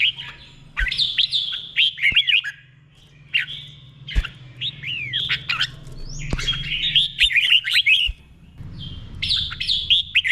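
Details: Red-whiskered bulbul delivering long, warbling doubled song, slow and clear, for caged birds to copy. Phrases of looping whistled notes follow one another almost continuously, with occasional faint clicks.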